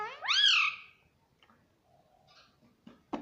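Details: Pet rose-ringed parakeet indoors mimicking the word "mummy": a single loud, rising and falling harmonic call lasting about half a second, followed by quiet murmurs and a sharp click.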